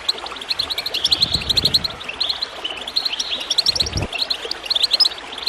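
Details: Goldfinch chirping with gurgling water, a lively high twitter of rapid notes, with low bubbling bursts around one and four seconds.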